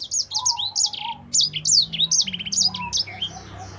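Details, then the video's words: Sanger singing a rapid, rolling song for tutoring other songbirds: bursts of sharp high chirps, downward-sweeping whistles and quick trills following one another almost without break, with a faint low background hum. "Sanger Gacor Fighter cocok untuk masteran"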